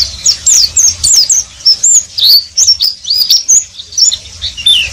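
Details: Oriental white-eye singing ngeriwik style: lively high twittering of slurred, bending whistles and squeaky chirps in close bursts, with a few soft clicks.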